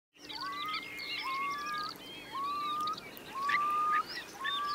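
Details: ['Eurasian curlews roosting among about 3,000 birds in Marquenterre wet meadows, Bay of Somme, France, at a high-coefficient high tide on 7 October 2021. Clear rising whistles repeat about every second, with fainter overlapping calls from other curlews.']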